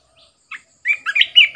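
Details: Caged red-whiskered bulbul kept as a decoy bird: a few faint lead-in chirps, then a short, bright, warbling burst of clear whistled notes that rise and fall, loud and close against a silent background.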